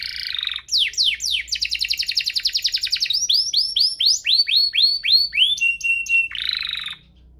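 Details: Song of a canary, used to coax other canaries into singing: quick chattered downslurs, a long rapid trill, a series of upswept notes, a held whistle and a closing buzz.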